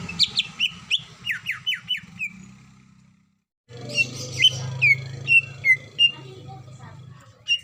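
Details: Female greater green leafbird calling the male while in breeding condition. A rapid series of downslurred whistles, about two per second, stops for a silent gap, then resumes as loud varied whistles over a low hum.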